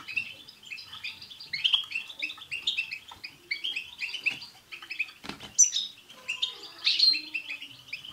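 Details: A chorus of European goldfinches with 'tsts' notes, meant to set off a pet goldfinch's song. Rows of quick repeated chirps run throughout, broken by a short rustling burst just past five seconds.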